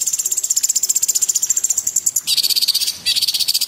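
A cucak cungkok sings a very high, rapid metallic trill of about a dozen notes a second, then drops to a slightly lower, equally fast trill.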